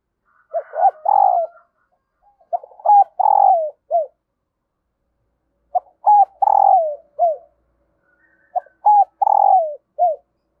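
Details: Female dove calling to stir a male, giving low, soft coos in phrases of three to four notes about every three seconds, with a brief upward lilt before the final note.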